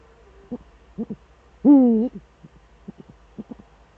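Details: Eurasian eagle-owl duet with the male at the nest in the Eifel, 13 December 2013 at 17:25: one long, loud, wavering harmonic hoot among soft short pulsed notes repeated about every half second.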